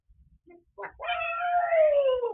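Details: Indoors, a pet African grey parrot making random sounds gives a few short clipped notes, then a long harmonic moaning tone that slowly slides downward, cat-like, while home alone with the TV.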